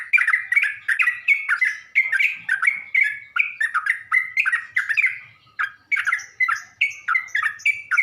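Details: Lure recording of yellow-vented bulbul meant to provoke other bulbuls into answering; short bubbly chirping phrases repeated steadily, several per second, with brief pauses between bursts.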